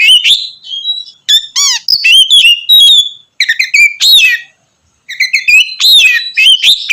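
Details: Oriental magpie-robin in full, loud continuous song intended to provoke rivals; bright whistled notes, fast rattling trills and scratchy phrases, with one short silent gap midway before the singing resumes.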